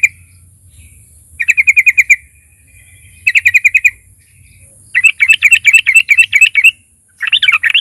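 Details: Energetic fighter sooty-headed bulbul singing as a lure for other bulbuls: two short trilled bursts of fast identical chirps, then a longer run of jumbled bubbly notes and another burst, over a thin continuous whine.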